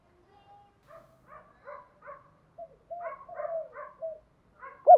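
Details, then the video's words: Spotted dove in the calling style known locally as Thúc Đấu, used to provoke and lure wild doves: low, hollow coos in a series of short, evenly spaced notes, then longer, stronger rolling coos, ending with a sudden loud burst. "Tiếng chim cu gáy Thúc Đấu gáy gọi kích bổi cực nhạy"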